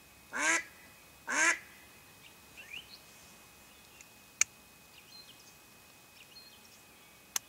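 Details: Decoy mallard hen calling to draw in ducks for hunting: two strong, raspy quacks close together, followed by thin high chirps of small birds and a couple of sharp clicks.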